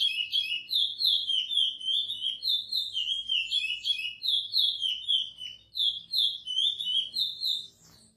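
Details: Chestnut-bellied seed finch (Sporophila angolensis) singing praia-style song as a tutor song for training young birds: a rich, flowing run of clear whistled and warbled notes, phrase after phrase without pause, faint background hum.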